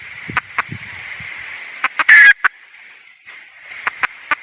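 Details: Female red junglefowl giving scattered clucks and one loud, harsh squawk. Faint low murmuring is heard early on under a steady background hiss.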